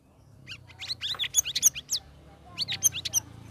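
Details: Caged sooty-headed bulbul singing in the ngeriwik ngeplong style after three weeks of ombyokan group conditioning: a fast, chattering run of sharp, up-and-down chirps and whistled slurs in two bursts, with a low background hum.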